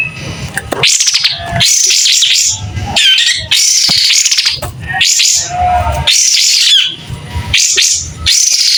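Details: Singing white-rumped shama, tail spread, voice clear: a steady series of short bright whistled phrases roughly every second, some with twisting up-and-down slurs and rapid chatter.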